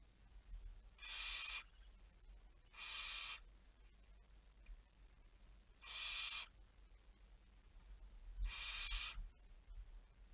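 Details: Barn owl at 23:34 on 11 May 2019 giving four harsh, hissing screeches at uneven intervals of two to three seconds, each brief and rasping, over a steady faint background hum.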